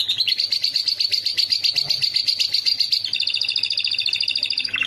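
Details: Canary song used as training material for a lovebird to copy: fast, even trill of bright high notes held level for three seconds, then switching to a lower, slightly rolling trill ending in a quick downward flourish.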